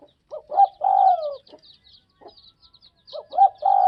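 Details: Spotted dove of the Tây Bắc (Northwest) type cooing: two phrases about three seconds apart, each made of short low hoots that lead into a long drawn, slightly falling coo. Faint high chirps twitter in the background.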